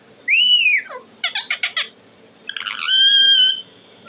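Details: Pet talking parrot giving a loud arched whistle that falls away, a short stutter of clicky notes, then a long steady pure whistle held for nearly a second.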